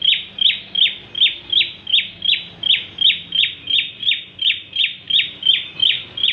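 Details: Lively Bar-winged prinia song for luring other birds: high, sharp chip notes repeated steadily about three times a second for the whole stretch, each note loud and evenly spaced.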